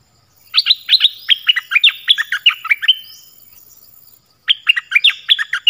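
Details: Oriental magpie-robin in clear, varied song: a long run of crisp, high whistled notes dipping and rising in quick succession, a brief pause, then another energetic burst begins.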